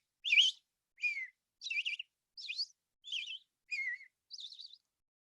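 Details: An American Robin sings, an example of the happy song voice: seven short, clear caroling phrases, each slightly different, rising and falling whistles given about every two-thirds of a second.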